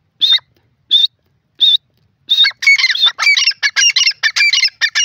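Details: Grey francolin (teetar) gives three spaced, clear whistled notes about a second apart, then a fourth, then breaks into a rapid, harsh, chattering series of repeated notes. The background is quiet.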